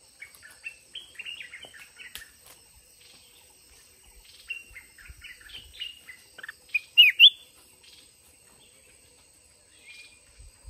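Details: Red-whiskered bulbul in a decoy-trapping contest: scattered short chirps and whistled notes, sparse and fairly faint at first, then a louder rising double note near the end, with quiet gaps between.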